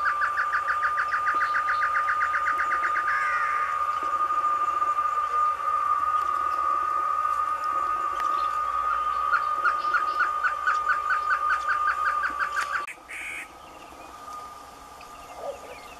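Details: Song of a male great antshrike in the caatinga: a rapid run of repeated notes ending in a rough snarl, then a second series of quick notes that speeds up, all over a constant high whine.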